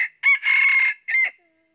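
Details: A wild red junglefowl rooster, met while trapping with a red-eared decoy, gives one short crow: a brief opening note, a sustained harsh middle and a clipped final syllable, all in under a second and a half.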